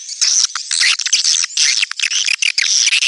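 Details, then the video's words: Flock of swiftlets in a 'netral' (neutral) sound: loud, crowded, shrill chirps and squeaky twitters pour out in rapid overlapping bursts, broken by a few brief pauses. "SUARA BURUNG WALETNETRAL soUND"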